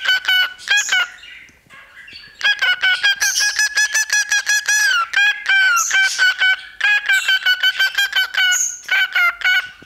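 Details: Pet cockatiel, male, whistling into a tiny microphone placed in front of him: fast runs of short, harmonic-rich notes repeated in quick bursts, a few higher squeaky whistles between, with brief pauses.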